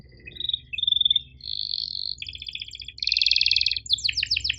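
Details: Canary singing over a low background hum: short whistles, a buzzy held note, then loud rattling trills and a few sharp falling chirps.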